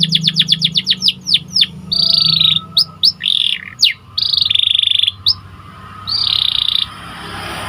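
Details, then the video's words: White canary song used to train canaries to sing more: a fast series of downslurred notes, then alternating buzzy rolls and sharp single whistles with short pauses, over faint low hum. "Pelatihan burung kenari agar semakin gacor"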